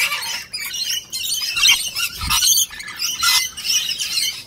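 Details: Rainbow lorikeets at a nectar feed, harsh shrieking squawks and chatter repeated irregularly, with a soft thump of movement midway.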